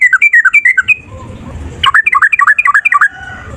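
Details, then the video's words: Yellow-vented bulbul male singing a long fighting song meant to get other birds to reply, a quick series of chattering, bouncing notes in two bursts with a low background rumble in the gap. "Trucukan gacor TARUNG ROPEL PANJANG pancingan trucukan agar bunyi jadikan burung trucuk NYAUT"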